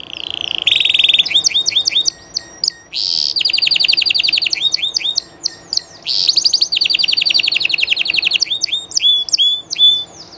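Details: Live song of a Spanish llarguet canary, mixing steady trills, chopped downslurred notes and fast rattling rolls in repeated phrases, clean and loud with no other sounds.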